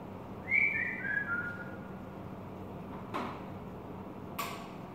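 A bulbul gives one brief, bright whistled phrase that steps downward, followed by two sharp indoor clatters like a door or dish.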